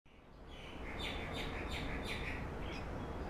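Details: A female violet-backed starling (Cinnyricinclus leucogaster) in an aviary at Yuen Long Park gives a quick run of bright, high chirps, several per second, over a steady low rumble of background noise.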